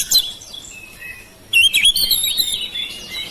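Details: Domestic oriental magpie-robin singing to stimulate silent birds: a short high note, a quiet pause, then a loud run of sweet whistles and wavering notes.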